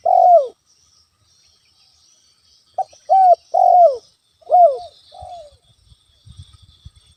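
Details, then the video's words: Actively calling spotted dove, recorded as a natural lure to rile a rival: a loud opening coo, a pause, then a clipped phrase of three or four falling coos, ending with soft low knocks. "SUARA PIKAT ALAM‼️ TEKUKUR GACOR COCOK UNTUK MEMANCING EMOSI LAWAN"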